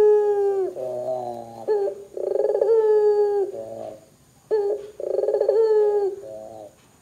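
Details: Barbary dove calling vigorously, meant to set other doves calling too; rich, low coos alternate rough rolling bursts with drawn-out level tones, about four phrases over several seconds.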